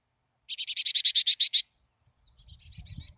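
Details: Wild chickadee at a nest cavity near Emigrant, Montana, in July; a rapid run of about eleven even, high buzzy notes in just over a second, then faint softer notes and low rustling.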